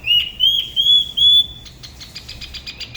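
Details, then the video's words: Da Lat Spot-throated babbler, La Ba river, singing solo: four pure drawn-out whistles in a row, followed by a quick burst of rapid chattering notes. "Tiểu mi La Bá hót solo/ Spot-throated Babbler the best solo La Ba river"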